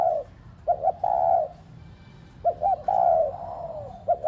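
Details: Spotted dove decoy cooing to urge pet doves to call: two phrases, each of quick double notes and a long, smooth, low coo that trails downward, with a pause between.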